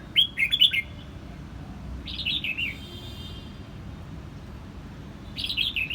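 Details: Quang Nam, Vietnam: red-whiskered bulbul giving three loud, clear warbled phrases, each a quick run of slurred notes dropping in pitch, separated by a few seconds of quiet hum.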